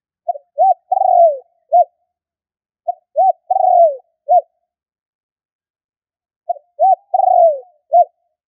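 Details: Spotted dove calling to provoke and lure wild doves, each phrase four notes: two short coos, a long coo falling at its end, and a crisp final coo; phrases come every three to four seconds, no other sounds.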